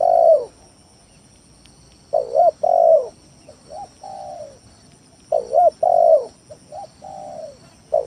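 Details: Spotted dove lure song played to provoke rivals and prompt quiet doves to sing; loud mellow coos in repeated phrases, a stuttered double coo then a long falling coo, with soft short coos between, about three phrases.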